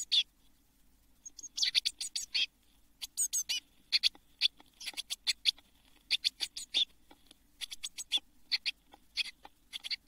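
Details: Seven blue tit chicks in a nest box in June 2022, days from fledging; quiet start, then repeated clusters of raspy, high, hissing chirps that come in waves.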